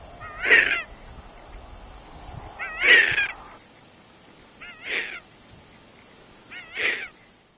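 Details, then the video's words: Errol, the youngest Tawny Frogmouth at a wildlife shelter, begs for food with four wavering, mewing cries, each about half a second, spaced roughly two seconds apart, over a faint low hum. "Tawny Frogmouth Calls for Food"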